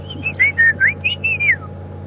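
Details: A White-browed Scrub Robin sings beautifully in a drainage line on an afternoon drive at Djuma Game Reserve, South Africa, on 7 October 2015: a quick run of clear, sweet whistled notes, some slurred up or down, about seven in two seconds, over a low engine hum.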